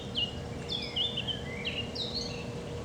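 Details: Eurasian blackcap singing on a warm day, 22 June 2020, on a countryside walk around Furneux Pelham, a quick run of bright, high, fluting warbled and whistled phrases over a steady low hum and background rumble.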